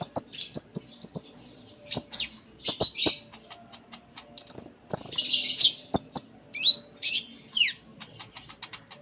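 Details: Captive Sunda minivet singing hard with varied phrases: very high thin whistles and chips, a buzzy twittering passage midway, and short falling notes near the end, among sharp clicks.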